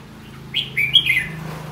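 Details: Red-whiskered bulbul delivering a single lively phrase of slurred whistled notes rising and falling, clear and close, with faint low hum behind.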